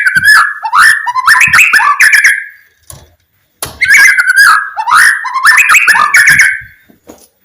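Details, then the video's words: White-rumped shama, played to coax quiet shamas into song: a lower, harsher warbled phrase given twice with a short gap between, each a string of fast slurred notes. "MURAI BATU DIEM,, PASTI NYAUT ,TERGODA DENGAR SUARA KICAUAN MURAI BATU INI"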